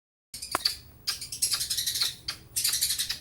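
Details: Young long-tailed shrike, bill not yet fully black and newly moulted out of spotted plumage, singing with mimicked lovebird and house sparrow sounds: harsh, high scratchy chatter in three bursts with a sharp click near the start.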